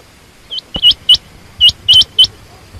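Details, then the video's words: Female quail calling: sharp, high, upward-hooked chirps, mostly in quick pairs, about six notes over under three seconds against a quiet background. "common quail/Rain quail sound)chinga batair ki Awaz)Звук самки перепела)صدای بلدرچین)صوت السمان"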